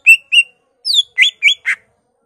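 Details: Greater green leafbird singing a short, varied phrase built from imitations of other birds: six clean notes, two steady whistles, a descending slur, two rising upslurs and a final harsh buzzy note.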